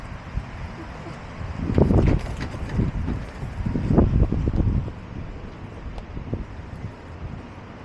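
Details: Gusty wind buffets the microphone in two loud low rumbling surges over a quieter background, with no animal call heard.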